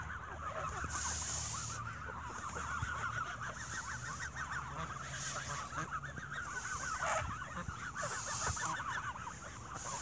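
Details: Geese fed bread at evening feeding time, squabbling among themselves: a constant crowd of rapid, overlapping nasal honks, with bursts of hissing broadband noise recurring every couple of seconds.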